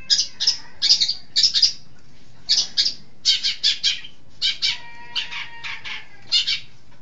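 A long-tailed shrike gives harsh, scratchy high bursts in quick clusters of two to four. A faint, thin steady tone runs through the middle.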